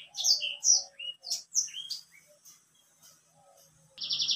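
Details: Energetic white-rumped seedeater song: quick high whistled notes, slurred up and down in short bursts, thinning to faint notes before a louder buzzy, trilled phrase ends the passage.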